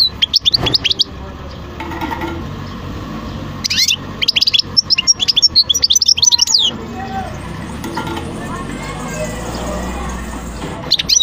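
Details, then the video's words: European goldfinch singing in short bursts of high, quick twittering notes, pausing between phrases, over steady low background noise. "تغريد حسون خلو"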